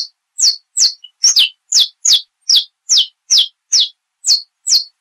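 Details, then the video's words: Saffron finch of Brazil singing its classic song style: a fast, loud series of about twelve high, sharp notes that sweep downward, repeated more than twice a second, with a brief double note near the start. "Canto do Canário da Terra"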